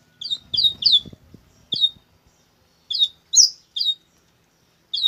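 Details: Double-collared seedeater's coleiro bruto song: repeated bright, high, downward-sweeping chirps, singly and in quick pairs or triplets, with a brief patch of soft rustling near the start.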